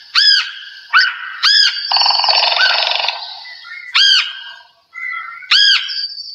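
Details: Red-headed woodpecker with a distinctive call likened to somebody screaming, usually heard before the bird is seen. Loud, arched, scratchy 'queeah' notes come singly about every second, broken midway by a longer, buzzy, rattling stretch.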